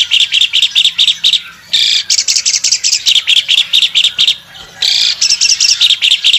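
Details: Singing an energetic song with wings open, an albino Asian pied starling alternates bursts of rapid scratchy chirps with two longer grating, buzzy phrases separated by short gaps.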